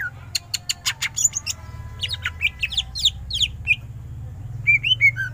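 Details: Greater green leafbird singing in full 'gacor' form with 'ngentrok' bursts: a run of sharp clicks and vertical ticks, then looping whistled notes that rise and fall, with a steady low hum underneath.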